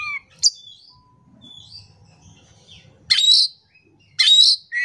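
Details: Oriental magpie-robin song used as a lure to get a quiet bird singing: a few thin whistled notes, then two loud harsh chattering bursts about a second apart, with a faint low rumble between.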